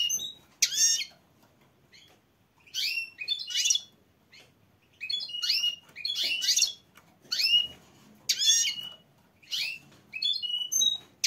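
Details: Female goldfinch calling to mate, with sharp, high, liquid twitters in clustered bursts. Short pauses separate them, and they sometimes come in quick pairs, about eight groups across eleven seconds, with little other noise.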